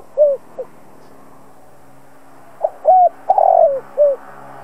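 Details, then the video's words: Spotted dove kept as a decoy, cooing to trigger calls from other doves. Two low, soft coos, a pause, then a phrase of a short note, a clear coo, a rough rolling coo and a final coo, over a soft hum. "Chim cu gáy mồi cây gáy gọi kích bổi tập mồi căng lửa. Cu đất gáy kích bổi."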